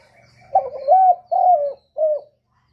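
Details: Spotted dove song in the 'kuk 1' style, played to lure other doves: one mellow cooing phrase. A brief opening note leads into two sustained, slightly falling coos and ends with a short final coo. Faint low humming sounds at the start.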